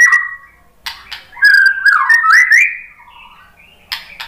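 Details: White-rumped shama reacting to a lure recording: a clear whistle, sharp clicks, then a sweeping, warbled phrase that rises and falls before fading into soft whistles and a final chip.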